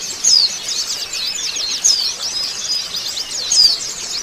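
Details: Group of Oriental white-eyes twittering as a lure for raw birds: an unbroken high chatter with three prominent, bright descending whistles spaced well apart.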